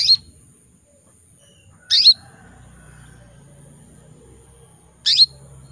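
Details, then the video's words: Female canary in breeding condition calling to males: three short, bright, high chirps, each sweeping downward, spaced about two to three seconds apart over a quiet background. "PANCINGAN KENARI BETINA MEMANGGIL JANTAN"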